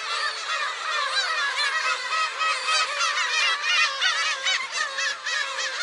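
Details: Black-tailed gulls by a shrine on 10 July 2015 give rapid, overlapping mewing calls, about three per second across the flock, in a loud continuous din.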